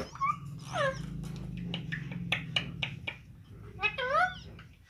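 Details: Rose-ringed parakeet at play and feeding, mixing grating, downward-sweeping screeches with chattering, speech-like syllables, while a low droning hum runs underneath.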